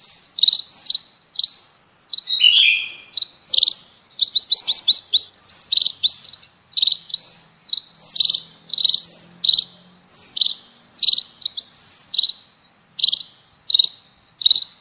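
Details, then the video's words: Munia calls played as a bird-catching lure and master recording: a long series of short buzzy high chirps, a rapid cluster of quick notes in the middle, one lower slurred note early on, and a faint low hum. "Suar pikat burung EMPRIT ampuh"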